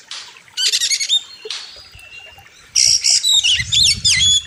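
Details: Oriental magpie-robin, sharp and loud, with a wild river setting. Rapid buzzy trills and a long thin whistle come first, then dense zigzag whistled phrases over low rumbling noise.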